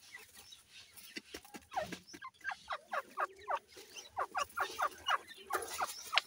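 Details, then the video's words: Female grey francolin, called teetar, feeding her chicks during the breeding season; a busy run of short, sharp, rising chirps repeated rapidly, several per second, growing denser toward the end over a faint background hiss. "Gray partridge with chicks,female teetar feeding there chicks"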